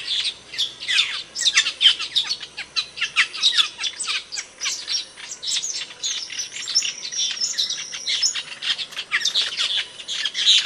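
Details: Camperling bird song for masteran practice: a long busy sequence of sharp chirps, rapid ticks and scratchy trills, varied and jumbled, delivered in quick flurries with brief dips between phrases.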